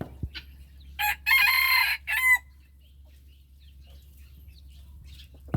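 A rooster gives one loud, harsh crow of about a second and a half: a short opening note, a long strained middle, and a falling end. Quiet background follows.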